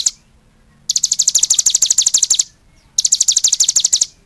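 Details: Energetic cigun song in two bursts of rapid, high, ringing chirps, about three a second. A short quiet gap opens the recording and another falls between the bursts.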